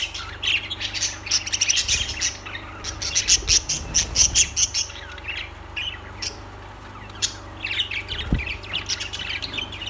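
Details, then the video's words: Several lovebirds keep up a busy stream of shrill chirps, clicks and short squawks, a run of rapid sharp ticks in the middle, with a constant low electrical hum beneath. "Lovebirds Sounds Birds Singing Birds Sounds"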